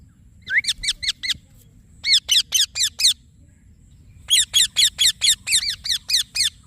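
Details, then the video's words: Green Indian ringneck parakeet chirping in three bursts of quick, piercing notes, the last and longest holding about nine notes in a row; otherwise quiet. "Green Parrot Chirping Sounds / Voice"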